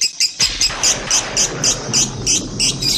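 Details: Lovebird song in a recording of three birds; sharp high chirps repeated steadily about four times per second, each a bright, piercing note, over a faint hiss.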